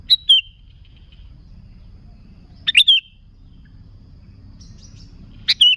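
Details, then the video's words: Sooty-headed bulbul used as a luring call for other bulbuls: bright chirp-and-whistle phrases, three bursts spread across a few seconds, the whistle dropping slightly and trailing off, with little background noise. "Suara Burung Kutilang Gacor ASLI Tanpa isian, Ampuh untuk Pikat Kutilang"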